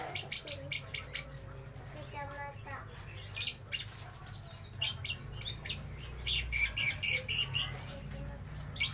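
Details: Lovebird ngeriwik chatter inside a bird shop: fast, irregular bursts of high, scratchy chirps and short squeaks, growing busier toward the end, over a low hum with murmuring voices.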